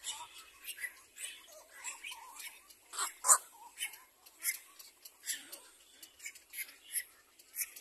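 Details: Little black cormorant mother and chick during a cleaning lesson: sharp, high squeaks and harsh squawks come in uneven bursts roughly every half second, with one loud squawk near the middle.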